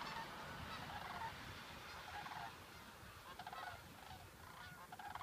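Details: Sandhill cranes in August 2014 near Waite Park, Minnesota, giving faint rolling, rattling honk-like calls with a pulsed, trilled texture that swells and fades, over a steady low rumbling background noise.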